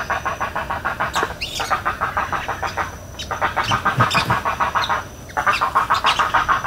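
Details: Spoonbill in Everglades National Park giving steady rapid pulsed grunting notes, about three per second, in runs broken by short pauses, with brief higher chirps from other birds overhead.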